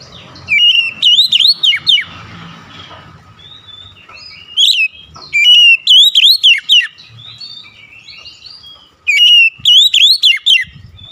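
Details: Oriental magpie-robin in vigorous song, meant to draw quick answers: three loud bursts of ringing, swooping whistled notes, with softer chattering warbles between them.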